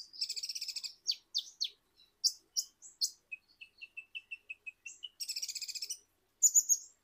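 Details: Indonesian sunbird, locally called kolibri ninja, singing a lively high-pitched sequence: buzzy rattling bursts, sharp chirps, then a run of short evenly spaced whistled notes, ending in another buzzy rattle and bright squeaks.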